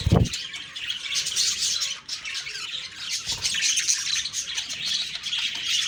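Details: October 2, 2023 morning recording of budgerigars: continuous high, grating warbles and chirps from many birds, opening with a dull thump and another soft knock partway through.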